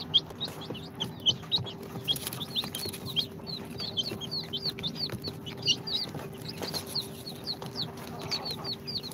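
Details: Incubator-hatched baby chicks on their second day, mixed Sultan, Golden Sebright, Cochin and booted breeds, giving rapid high downward-sliding peeps in a continuous overlapping chorus, over a faint constant hum.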